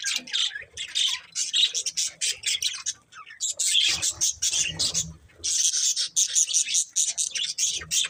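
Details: Budgie breeding pair producing a steady stream of quick, scratchy, high chirps and chattering warble, briefly dipping quieter around the middle before resuming busily.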